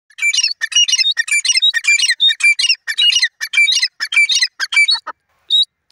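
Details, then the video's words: Wild grey francolin calling in the wild: a loud, harsh, rapid series of repeated squawking notes with a steady high tonal bar, about a hundred and two notes a minute, then fading into a few scattered notes. "jungli teeter voice gray francolin"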